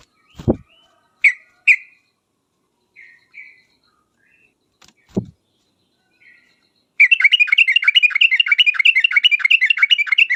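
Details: Sooty-headed bulbul song as a sharp lure to make other birds answer: scattered single chirps and a few thumps, then a sudden, loud, fast trill of bright chirping notes sustained for over three seconds.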